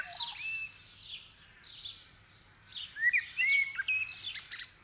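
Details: Common blackbird singing in the dawn chorus on December 8, 2019, as the sky was just beginning to get light, captured with a stereo mic. Clear whistled phrases rise near the end over a dense backdrop of high chirps and twitters from many other birds.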